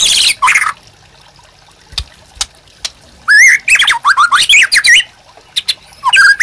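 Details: White-rumped shama song for prompting and training other birds: harsh noisy notes, a pause with scattered clicks, then a lively phrase of warbled looping whistles and sharp chips.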